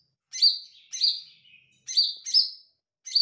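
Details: Lesser green leafbird (cucak ijo mini) singing actively: strong, piercing notes that drop in pitch and trail into a sustained tone, given singly and in a pair, with a faint lower note between.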